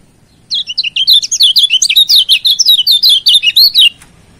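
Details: Kecial kuning, Lombok yellow white-eye, song used to provoke a rival and as a master for training: a rapid, continuous stream of high, looping, twittering notes lasting over three seconds.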